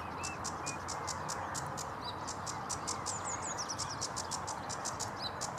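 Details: Sedge warbler singing at Vange Marsh RSPB on 7 May 2016: rapid run of dry, ticking high notes with a few short whistled slurs, set against steady broadband marsh noise.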